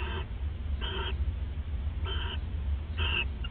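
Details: Owl pair bonding at the nest, recorded on a live nest camera at 1:26 AM on December 29, 2014; four short raspy, harmonic screeching calls spaced about a second apart over a steady low hum.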